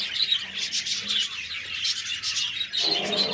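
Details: Budgies chattering in a group, quick high chirps and whistled tweets crowded together, with a slightly louder, fuller burst of chatter near the end.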